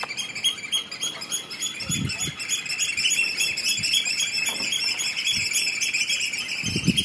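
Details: Eurasian oystercatcher giving rapid, shrill piping notes in a continuous overlapping stream, fast and uneven in rhythm, over scattered low knocks and rumbles nearby.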